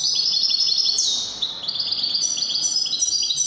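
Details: European goldfinch in Wedani song style from Morocco, rapid jangling twitters opening with a falling buzzy slur, then dense repeated high chirps running without pause.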